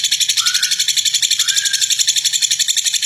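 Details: Brief burst of a lovebird's rough ngekek, the long chatter used to get other lovebirds singing. Rapid, steady, harsh high pulses, with a lower whistled slide audible beneath.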